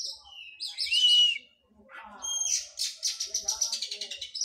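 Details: Oriental magpie-robin after its moult, in physical training, singing a varied phrase: high buzzy notes, then a clear falling-rising whistle, a pause, and fast rhythmic chattering trills.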